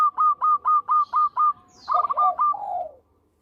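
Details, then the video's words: Local zebra dove in full, melodious song, the kind used for luring birds: a rapid run of seven evenly spaced, hooked cooing notes, then a brief pause and a rolling, descending flourish of quicker notes that trails away. "Perkutut Lokal Gacor Suara Merdu Cocok Buat Pikat"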